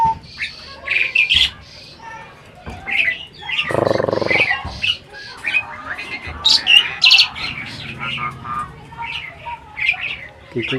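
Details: Asian pied starling kept as a breeding adult, appearing to talk, giving a busy jumble of high chirps, squawks and scratchy notes, with a brief lower burst partway through.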